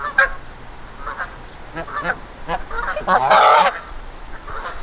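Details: Angry Canada geese in Victoria Park, Kitchener, Ontario, threatening a person who backed off to avoid attack. Several geese give harsh, nasal honks in short bursts, building to a loud, dense honking outburst midway, then tapering to scattered honks.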